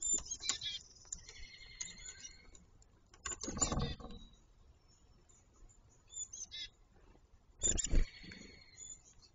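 A grackle gives squeaky, creaking, high-pitched calls in quick runs near the start, with loud bursts of noise breaking in twice.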